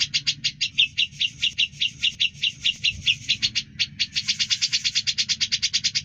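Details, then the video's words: Grey-cheeked bulbul song used for tutoring other songbirds: a lively run of sharp, high chattering notes, slower and varied at first, then speeding into a dense, regular stutter. "Suara Burung cucak jenggot gacor, bisa buat isian"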